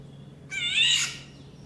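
A female Indian golden oriole gives one harsh, nasal, cat-like mew lasting about half a second and falling slightly at the end. A low steady hum sits underneath.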